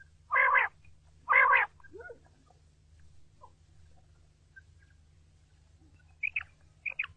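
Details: Quail, a recording used for hunting, opens with two loud, harsh, buzzy notes about a second apart. A softer slurred note follows, then near silence, then a few thin high chirps near the end over a low steady hum.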